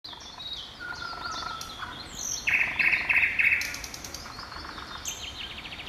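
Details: Thrush nightingale at Kamień Pomorski, Poland, on 11 June 2014 sings a powerful varied phrase: a clear drawn-out whistle, then a loud rapid clicking rattle and high sweet notes, with faint background birdsong.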